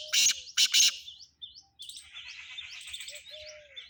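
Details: Black francolin in Sindh, Pakistan: three loud, harsh, grating bursts, followed by thin high chirps from other small birds and a faint whistled note.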